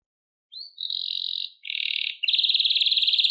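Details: Canary song, Serinus canaria, in rapid trilled phrases: a steady high buzzy trill, then a lower rattling roll, then a fast pulsed trill near four kilohertz-range pitch repeated about four times a second.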